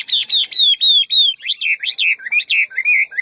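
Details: Hwamei of the ngũ trường type, described as large and fine, singing a fast, many-voiced forest-style song: loud slurred whistles repeated about four times a second, then shifting into varied rising and falling phrases.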